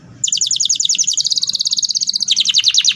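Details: Canary lure song with fast rolling delivery, used as a training model for other canaries: a dense, rapid trill of repeated high notes that shifts pitch partway through and then drops into a slightly lower rolling phrase.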